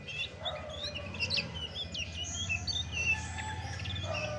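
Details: Chestnut-backed thrush delivering lively song: rapid, high, looping whistled notes and short slurs packed together, steady low background hum.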